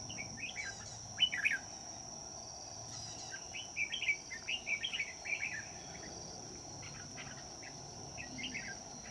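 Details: Red-whiskered bulbul singing as a trapping decoy on a cold day, a series of bright, slurred whistled phrases in bursts, several notes rising and falling, over a constant high-pitched insect drone.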